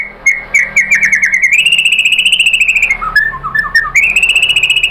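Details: Lure song of a white-rumped shama, meant to make other shamas answer and sing: quick chattering notes lead into a long, fast, buzzy trill, broken by a few lower slurred notes before the trill resumes.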